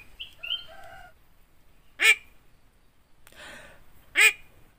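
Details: A yellow-eyed Javan myna kept as a pet imitates human talk: a few clear whistled notes, then two loud, rasping, word-like outbursts about two seconds apart, with a faint murmur between them.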